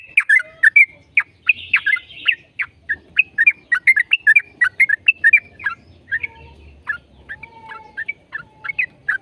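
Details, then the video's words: A yellow-vented bulbul delivering continuous 'gacor ropel' song as a lure for other bulbuls to sing: an unbroken stream of sharp, bubbly chirps and slurred whistles, dense and fast throughout. "PANCINGAN TRUCUKAN AGAR BUNYI burung TRUCUKAN GACOR ropel"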